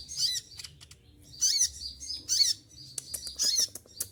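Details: Moulting olive-backed sunbird, feathers all shed, still in full voice: shrill, piercing chirps and quick ticking notes in bursts of sharp high twittering, with brief gaps and a quiet low background hum.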